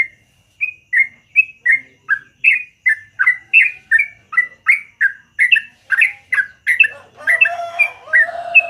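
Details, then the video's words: Yellow-vented bulbul singing in the morning, a long, lively song: a fast run of short, bubbly warbled notes, about two and a half a second, rising and falling, growing denser with overlapping notes near the end. "BURUNG TRUCUKAN GACOR ROPEL PANJANG DI PAGI HARI"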